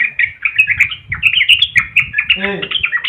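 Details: Caged yellow-vented bulbul in energetic long-winded song, rolling and fluttering: a continuous run of rapid bright chattering whistled notes, quick and tumbling, with a low rumbling noise underneath.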